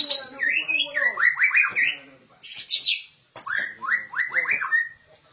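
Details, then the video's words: Well-trained caged white-rumped shama, called rare, singing two bursts of rising whistled notes in quick succession, separated by a brief harsh, high, descending phrase. "Suara Burung Didikan Bagus Murai Batu langka"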